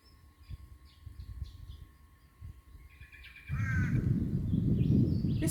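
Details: Black-faced Cuckoo-shrike on a calm, sunny autumn day in the bush of southeast Queensland, Australia, gives a brief rolling churring trill midway after faint chirps, then heavy wind or handling rumble swamps the recording.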